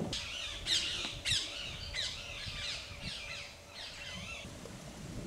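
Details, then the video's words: Group of Bar-headed Geese feeding on marshy grassland near cultivation outside Kaziranga National Park, Assam, India; overlapping nasal squawking honks, rising and falling, several per second in a busy chorus over a faint low rumble. "Group of Bar-headed Geese (Anser indicus)"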